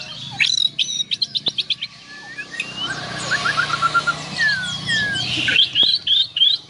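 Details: White-rumped shama of the Borneo variety singing: a fast series of sharp repeated high notes, then varied whistled slurs and a rolling trill, ending in bright rapid chips.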